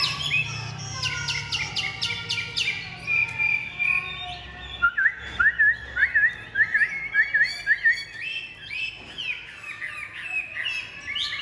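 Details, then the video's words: Chinese hwamei, a big-bodied kept songbird with pure white wing feathers and a voice praised as very fine, sings a varied run of loud rising and falling whistles and quick repeated notes, with a low hum under the opening seconds. "Ngũ trường bộ to, giọng cực hay, lông cánh trắng tinh | Họat Họa Mi"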